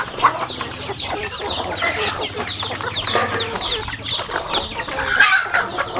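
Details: Feeding farm chickens produce a steady stream of sharp, downslurred peeps from many birds at once, with a quiet mechanical hum in the background.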